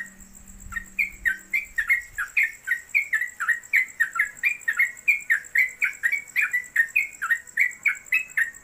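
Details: Trucuk (yellow-vented bulbul) in a cage at home pouring out a rapid, unbroken ropelan song. Rising-and-falling slurred notes repeat about four times a second over a steady high whine and a few low knocks.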